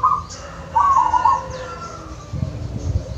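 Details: Local wild zebra dove in the natural surroundings of Wonogiri, giving two rolling trilled coos, a brief one then a longer purring phrase, followed by low thumping noise and faint high bird chirps.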